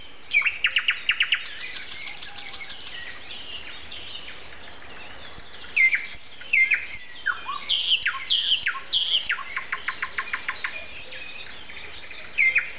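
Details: Common nightingale in morning song at 7:55 on April 29, earlier in the season than usual: fast rattling series of repeated notes, then varied whistles and chirps, ending in another rapid repeated-note burst; other birds call faintly.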